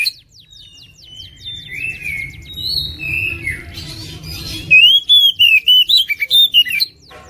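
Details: Oriental magpie-robin, a 2021 national champion competition bird, in full 'gacor' song packed with 'isian' and 'tembakan mewek' phrases: a quick run of clicking ticks, then high whistled slurs and buzzy notes, ending in a loud burst of sharp rising whistles. A low hum sits underneath.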